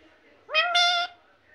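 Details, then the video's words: A parrot repeating a learned word such as "mithu" or "mummy": one bright two-syllable utterance, a brief rising start and a sustained level second part, surrounded by low background hiss. "mithu mithu mummy mummy"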